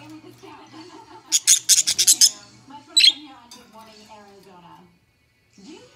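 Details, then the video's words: Pair of caged budgerigars chattering: soft warbling mutters, then a rapid string of six loud, harsh chirps, one more sharp chirp, a brief silence and renewed quiet chatter. "Chirping Parakeets"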